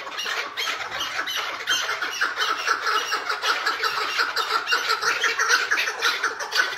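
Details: A tethered chukar partridge gives a harsh, throaty chatter of quick grating notes, nearly two a second, rising and falling in steady runs with no other clear sounds.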